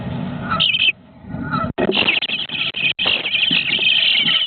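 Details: Bluebird nestlings on day 18 beg in a dense, raspy chorus of high chirps, near-continuous with brief breaks, with some low background rumble.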